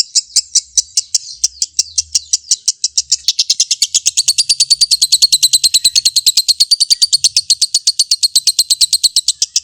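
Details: Lovebird in long ngekek song, kept as a master tutor and said to provoke rival birds into singing: a fast, even train of harsh high chattering notes, starting slower and spaced, then accelerating into a steady rapid rattle about eight per second.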